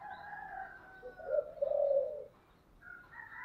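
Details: Spotted dove calling in the earthy 'giọng thổ' voice style, giving a low, drawn-out coo in the middle, partly masked by a steady higher-pitched whistling sound and background hiss.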